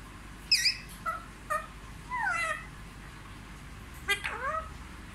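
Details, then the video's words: Parrot said to speak Hindi: a few sharp clipped squawks, then sliding whistled notes that rise and fall, with a second burst of bending whistles near the end and quiet gaps between. "सबसे अच्छा हिंदी बोलने वाला तोता ll Parrot Talking"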